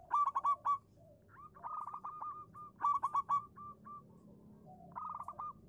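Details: Lure song of a local zebra dove, played to make silent doves reply: quick rippling runs of clipped coo notes alternating with spaced single coos, phrases recurring about every two seconds.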